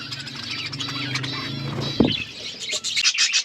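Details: Flock of budgies eating, heard as high, rapid twittering over a low humming coo, with a brief knock midway and brighter chirps at the end.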